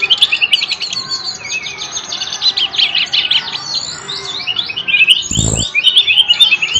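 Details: Bird singing vigorously in a dense run of fast chirps, buzzy trills and rising and falling whistles, with a brief low thump near the end.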